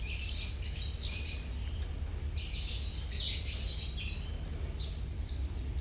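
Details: Chattering colony of lovebirds, sounds meant to coax mute lovebirds into singing; continuous thin, high chirps overlapping without pause over a constant low background hum.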